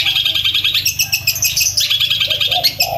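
A Long-tailed Shrike pours out a fast, loud run of high, scratchy chattering notes, rising and falling without a break, over a faint low hum.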